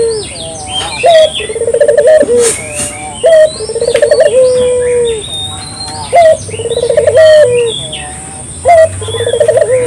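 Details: Clear local dove calls for luring: repeated crisp note, rippling trill and sustained mellow coo, phrase after phrase, with scattered chirps of other birds in the background.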